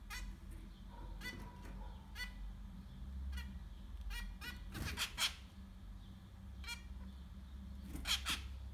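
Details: Zebra finch chicks, six in a nest, giving repeated short harsh broadband begging calls in bursts, louder clusters near the end, over a steady low hum.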